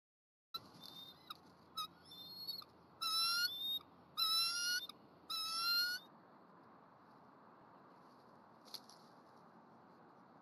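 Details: Eagle pair at a nest on a college campus, 12 January 2020, as the female eats a chipmunk brought by the male, who then takes over incubating an egg; thin, high, chittering piping calls in five bursts, then quiet.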